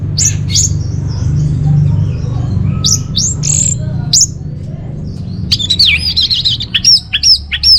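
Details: Song of the orange-headed thrush, used to draw out and train caged birds: scattered sharp high notes, then a fast run of looping, wavering whistles near the end, with low background hum.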